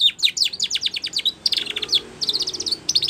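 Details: Training song of a Spanish Timbrado canary: fast staccato notes delivered in tight bursts, switching between clipped chips and rolling metallic trills with very brief pauses.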